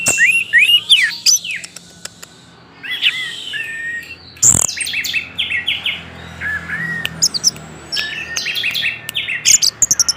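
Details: Orange-headed thrush pouring out varied song as a lure: chattering phrases, a loud crack near mid-recording, then rapid, repeated notes rising and falling in a steady series.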